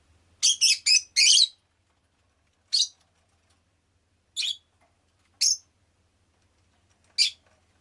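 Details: Shrill chirps of a pet rosy-faced lovebird: a quick cluster of four opening notes, followed by single sharp chirps spaced about one to two seconds apart, silence in between.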